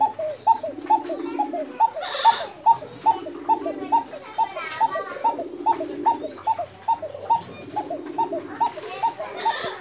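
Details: A female Bashiraj pigeon of a breeding pair in Tangail gives rapid, rhythmic hooting notes, over two per second, while a man talks.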